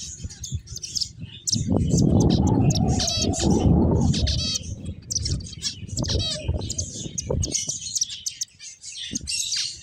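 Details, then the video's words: Several finches give rapid, thin, high chirps and short trills, several a second, over a loud low rumble of rustling or wind. "Cute Finches Chirping Sounds"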